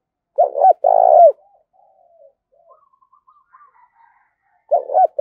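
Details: Challenging call of a spotted dove used as a decoy in a voice duel: a stuttered pair of notes and a long wavering coo, quiet soft cooing afterwards, then the stutter begins again near the end.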